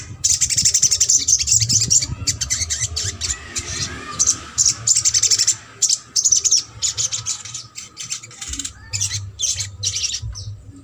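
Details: Sogok ontong singing trotol, a lure for silent birds: long runs of hurried, high, scratchy chips, about two or three notes a second, broken by brief pauses, with faint low rumble beneath.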